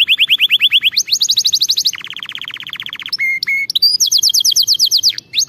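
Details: Canary singing to train other canaries: a string of trills at changing pitches, a fast high roll, a lower rattling tour, short steady whistles, then a high rapid trill.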